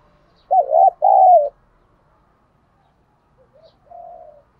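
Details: Spotted dove cooing thúc gù style to attract wild doves: a strong two-note warbling phrase, then a few quieter, distant rising coos.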